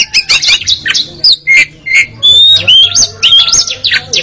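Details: White-rumped shama (kacer) training song, a fast medley of sharp whistles, zigzag trills and long clear whistled notes, with harsh chips between phrases and a faint low hum behind.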